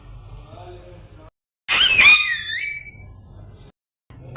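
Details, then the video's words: A parrot gives one loud harsh squawk lasting under a second, sliding downward with strong overtones, between quiet stretches of low room hum. "Parrot making noise||parrot sounds"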